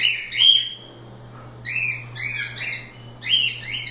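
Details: Loose cockatiels enjoying themselves: a long flat whistled call, then a series of loud rising harmonic squawks repeated roughly every half second.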